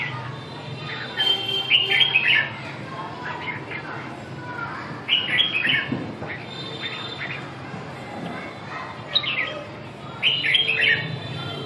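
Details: Red-whiskered bulbul giving short bursts of chirpy, warbled phrases, several separated by pauses of a few seconds, over a steady low background hum.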